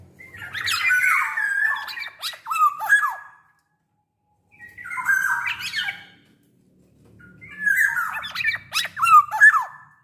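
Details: Big-bodied black-naped oriole singing actively, used as a lure to make other orioles sing: three bursts of harsh, nasal, squawking phrases with slurred descending notes, each about three seconds long and separated by short silences; faint low rumble beneath.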